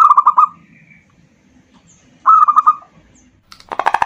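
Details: Local zebra dove song used as a lure for other birds: two short, rapid trilled coo phrases, followed at the end by a loud harsh burst of pulsed sound.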